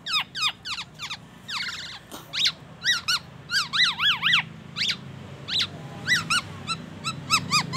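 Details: A black-naped oriole sings borrowed oriental magpie-robin phrases and an ambulance siren: varied sharp downslurred whistles and paired chevron notes in an irregular series, with some brief warbling in between.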